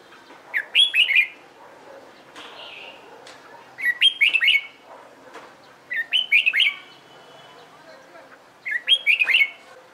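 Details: Red-whiskered bulbul trained for competition singing, also used to prompt young birds to sing along: four short bright warbled phrases, rising then falling, each under a second, repeated every two to three seconds over a quiet background.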